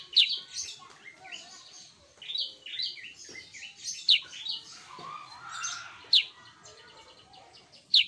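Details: Sooty-headed bulbul singing energetically: a dense, busy run of short whistled and chirping notes, many overlapping, with sharp bright clicks standing out about every two seconds.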